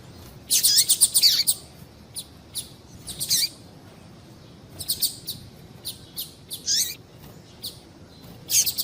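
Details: Calls of a female double-collared seedeater, used to stimulate singing in males: a dense burst of sharp high chirps, then scattered single and paired tweets, some sliding downward, over faint hiss.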